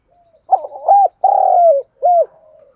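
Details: Caged decoy spotted dove calling to lure wild birds, recorded up close: one cooing phrase of quick stuttered notes, a long sustained coo sliding slightly downward, then a short final arched coo; quiet background.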